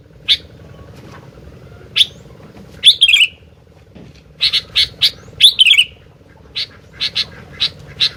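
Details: Lively sooty-headed bulbul song: two bubbly descending phrases mixed with many crisp, evenly spaced chirps, some in quick bursts, while a soft steady hum runs underneath.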